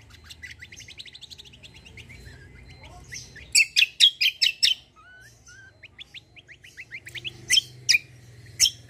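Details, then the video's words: Kecial kombo white-eye, a loud fighter-type singer, pouring out a quick rising twittered series, then a burst of loud rapid chips, a string of upslurred whistles and more sharp notes. "KECIAL KOMBO CUCAK KOMBO FIGHTER GACOOR"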